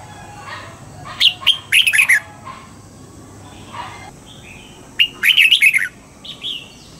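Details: Red-whiskered bulbul singing its trained double-note morning song; two loud phrases of rapid whistled notes about four seconds apart, with softer scattered chirps between and after them.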